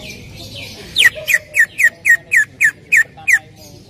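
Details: Greater green leafbird lure song to get another leafbird singing: after soft introductory notes, nine crisp descending whistles repeat steadily about every quarter second.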